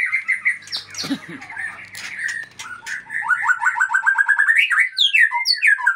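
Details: White-rumped shama (Murai Aceh) breeding stock: mixed opening with scratchy notes and low rumbling, then a fast series of clear repeated whistled notes climbing into bright rising phrases.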